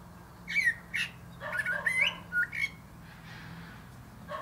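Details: Common blackbird perched atop a plum tree sings a string of mellow, slurred whistles, some rising, some falling, then trails off into near silence with a final faint note.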